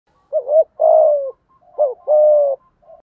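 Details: Spotted dove used as a lure bird, giving thúc gù cooing with a giọng thổ voice: a short bent coo then a longer steady low coo, repeated twice in a quiet setting.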